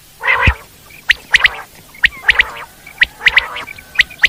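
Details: Wild common quail repeating sharp, high three-note phrases roughly every second, following an opening rough nasal burst, with soft grating sounds between.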